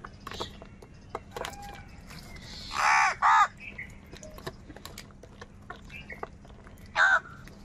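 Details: Crows fighting for food, with two harsh caws close together midway and one more a few seconds later over a busy background of clicks and faint bird chirps.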